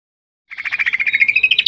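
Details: Greater green leafbird in a varied tutor song recording used to train caged birds: a fast, even chattering trill of about twenty notes, steady in pitch and rising slightly near the end, starting after a brief silence.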